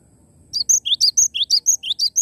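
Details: Vigorously singing Cinereous tit, not an mp3 playback: a loud, steady sequence of roughly ten high notes, rising chirps trading with sharp thin whistles about four times a second.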